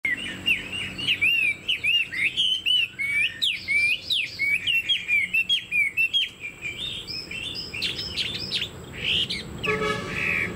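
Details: Chinese hwamei kept as a cage bird, with a fanned tail and tall stance, singing a lively run of loud whistled phrases that rise and fall with rapid trills, ending with a brief harsh noisy burst.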